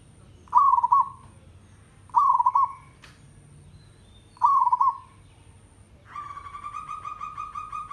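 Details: Village zebra dove song used as a training recording to make captive birds sing often. Three rippling, trilled coos follow each other about every two seconds. A steady, buzzy, harmonic tone then takes over the end.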